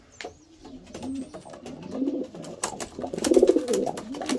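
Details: Homing pigeon giving throaty, wavering coos that swell in loudness toward the end, mixed with scattered clicks and scuffling noises.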